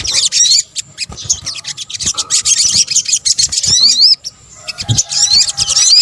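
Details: Sogok ontong, the sunbird, in a lure combination: high, hurried twittering in surges with brief pauses, and repeated slurred notes that sweep upward, over a few soft low taps.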